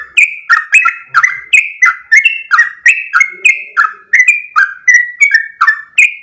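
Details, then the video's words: Sooty-headed bulbul in vigorous rapid 'ropel' song: crisp slurred whistles falling and rising in pitch, delivered about three per second without pause, with a faint low sound midway. "full suara Trucuk gacor ropel panjang"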